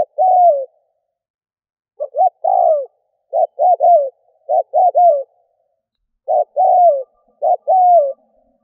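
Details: Spotted dove decoy call used to lure doves: repeated phrases of two short clipped notes and a longer descending coo, in loose bursts separated by silent gaps, with no other sounds.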